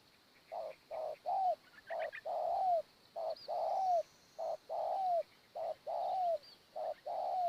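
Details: Spotted dove calling during morning decoy trapping, wild birds feeding on the ground: loud, regular mellow coos around 700, short notes alternating with longer downslurred ones, repeated steadily; faint chirps from other birds and a high background hiss.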